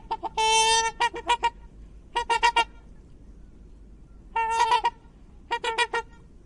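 Nasal, trumpeting honks from a swan: a drawn-out note followed by quick runs of three or four short honks, in bursts every second or two against a quiet background.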